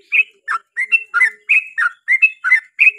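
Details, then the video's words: Yellow-vented bulbul singing in lively 'ropel' style: a fast chain of liquid, gurgling notes, roughly three per second, alternating higher and lower slurs, with a faint low whistle beneath. "KICAU SUARA trucukan gacor ROPEL PANJANG"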